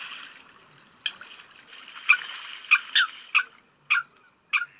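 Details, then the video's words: Coot calling, a bird of lakes and sometimes rivers: a series of short, sharp, abrupt notes, about seven in under four seconds at uneven intervals, over a steady background hiss. "Coot's call"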